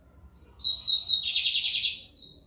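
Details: Singing bigodinho americano (lined seedeater), recorded in São Luís, Maranhão, Brazil. A short whistle leads into several steady, piercing high notes, then a rattling buzzy trill lasting about half a second that trails off softly.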